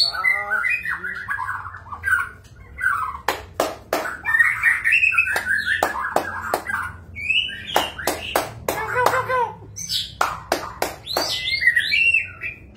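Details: Magpie-robin song: varied whistled phrases, rising and falling slurs, mixed with bursts of sharp clicking snaps, loud and continuous with a faint low hum behind.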